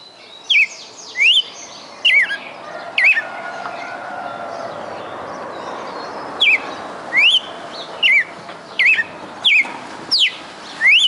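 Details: Red-cowled cardinal kept in a cage in Fortaleza, Ceará, Brazil, giving quick whistled notes, some upswept and some falling, in two bursts separated by a short pause, over a steady low hum.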